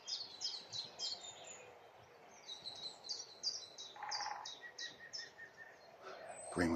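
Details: A common chiffchaff sings its steady chiff-chaff song of high notes alternating in pitch, about three a second, on a spring morning in Lynford Woods. Another bird calls lower, blackcaps and a drumming woodpecker are nearby, and a voice speaks briefly.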